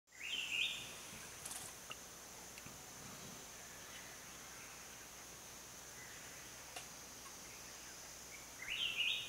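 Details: Grey-eyed bulbul (Iole propinqua), call.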